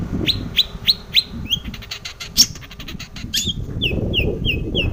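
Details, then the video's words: Long-tailed shrike singing to prompt other shrikes to answer: a few sharp downslurred notes, a burst of rapid clicking chatter, then a run of evenly spaced descending whistles, with low background rumble. "SUARA cendet gacor full isian pancingan cendet agar bunyi"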